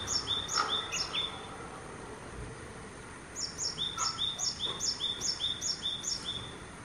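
A Japanese tit gives bright, high, two-part notes repeated about three times a second in two bursts, over a steady background hiss.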